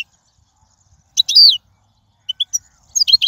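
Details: Wild European goldfinch song, offered for teaching young birds to sing: a single loud, high slurred downward note, then a pause and a scatter of short, thin chips near the end.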